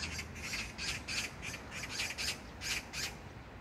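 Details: Harsh, scratchy magpie chatter recorded on 19 June 2022 in a neighbourhood park in Gyeyang-gu, Incheon, South Korea; rapid grating notes come in a loose run of about nine over the brief stretch, with soft outdoor hum beneath.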